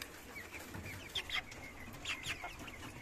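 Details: Caged Cochin chickens and roosters on a farm give a few short, high, clipped clucks in small pairs over a steady background hiss.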